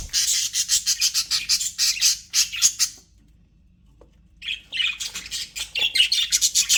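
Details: Happy pet budgerigars in an aviary chatter in fast, high, pulsing bursts for three seconds, fall silent for about a second and a half, then resume the same busy warbling chirps.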